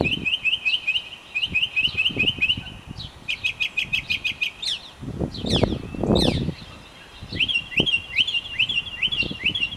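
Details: Mockingbird pouring out song: a chirp repeated in rapid sets, then a series of sharp high clicks, a pause with rustling and low thumps, then fresh repeated chirps.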